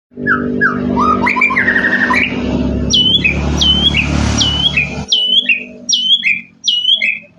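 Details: White-rumped shama, murai batu, in the Indonesian songbird-keeping style with full fills: a rough, noisy start of varied notes, then a crisp hooked high note repeated about once a second, each with a lower slurred tail, over low rumbling background.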